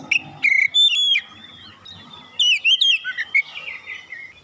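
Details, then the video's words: Oriental magpie-robin song used as a lure to set other birds singing: clear whistled notes and sliding phrases, some held, others quick and chirpy, broken by short pauses. "pancingan Kacer ampuh langsung gacor"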